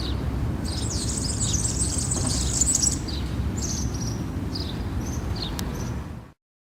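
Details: European serin singing in the Mikel Zarate town square, Zamudio, Txorierri, Bizkaia, on 7 May 2018: high, rapid jingling twitters in short bursts among other sounds, including house sparrow song, over a steady low rumble of background noise.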